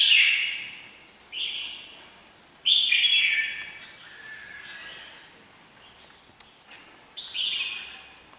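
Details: Kept red-whiskered bulbul sings a series of clear whistled phrases, each bright and sliding downward, repeated every two to three seconds with short pauses between them.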